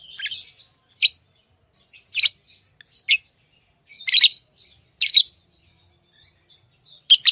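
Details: Tamed pet lovebirds chirping, loud sharp squeaky chips repeated roughly every second, some doubled into short harsh bursts, with quiet pauses between.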